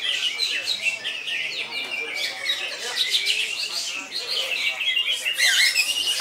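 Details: Cucak ijo, the greater green leafbird, in continuous koncer singing: a busy stream of high, sharp whistled phrases, slurred notes and quick chirps that overlap densely throughout.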